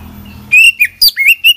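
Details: Oriental magpie-robin singing an isian-filled song: a short, loud phrase of bright whistled notes, some held steady and some dipping then rising, delivered in rapid succession over faint low background hum.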